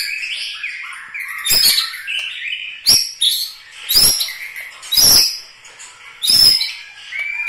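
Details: White-rumped shama in the characteristic Medan Bahorok Bukit Lawang singing style, alternating rich warbled whistles with loud sharp clicks roughly every second, the phrases varied and high-pitched.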